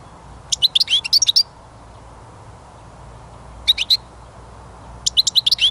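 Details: Goldfinch song in short clusters of quick, high tinkling chirps, separated by pauses, over a faint low background hum.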